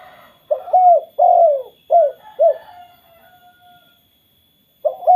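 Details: Spotted dove cooing to prompt other spotted doves to call: four soft, low hooting coos, a short note, a longer drawn-out note, then two short notes, over about two seconds. A faint later coo follows a quiet gap. A thin steady electrical tone runs underneath.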